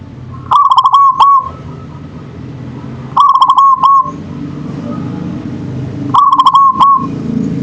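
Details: Local zebra dove (perkutut lokal) singing in manggung style: three short stuttering, rolling coo phrases, each about a second long, repeated roughly every three seconds over a steady low rumble of background noise.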